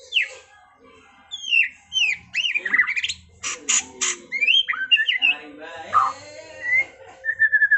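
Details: White-rumped shama (Copsychus malabaricus) singing 'trontolan ngerol': a fast, varied medley of sweeping whistles, sharp buzzy bursts and chattering runs, ending in a drawn-out whistled note.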